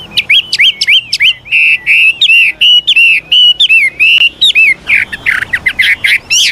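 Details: Old wild Chinese hwamei singing variable, voice-switching phrases to prompt newly caught birds to sing. Fast, bright whistled notes with upward flicks and slurs follow one another rapidly, then give way to softer rolling warbles.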